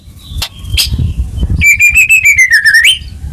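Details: White-rumped shama song aimed at getting a caged bird singing again; a few faint high notes, then a long even rapid whistled trill dipping slightly before rising at the end.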